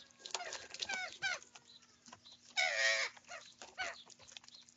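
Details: Young common ravens squabbling over their food at breakfast. Quick, rasping chattering notes, then a loud, prolonged, harsh, buzzy squawk lasting about half a second, followed by scattered softer calls and pecking.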